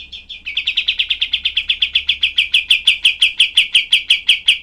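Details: Cream-vented bulbul, or kapas tembak, delivering a very dense 'tembakan' volley for training other songbirds: one held note, then roughly thirty harsh, clipped chirps fired in rapid, even succession without a break.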